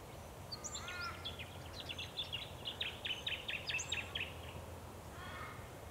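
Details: Jacky winter in Scheyville National Park, NSW, Australia, in August, a bird that sallies from exposed perches to catch insects; a quick run of high, sharp chirped notes, over two per second for about three seconds, over a low steady background hum.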